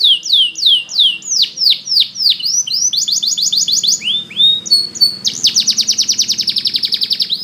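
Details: Canary sings for training with evenly repeated downward-slurred whistles, a dense buzzy roll, a brief pause, then a loud rapid pulsed trill running to the end.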